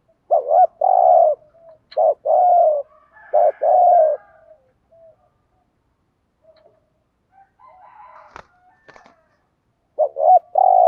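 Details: Decoy spotted dove cooing thúc gù style to attract wild doves; three quick low coo phrases in succession, a quiet stretch with faint clicks and rustles, then another coo beginning.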